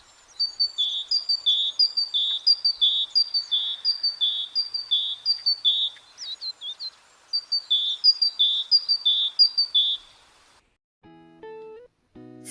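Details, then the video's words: Great tit (yellow-breasted, black cap, white cheeks) singing on a winter morning: bright, high two-note 'teacher-teacher' phrases repeated quickly in two bursts with a short pause, followed by a few musical notes. "це синичка послухайте як співає синичка [музика]"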